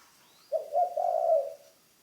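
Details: Spotted dove kept as a ground decoy bird in training, giving one mellow, low coo lasting about a second, slightly wavering and then fading, in an otherwise quiet setting.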